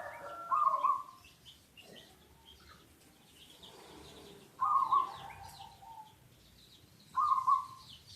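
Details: Lure zebra dove, local type, uttering short, rippling trilled coos spaced a few seconds apart over a hiss of background noise and distant bird chirps.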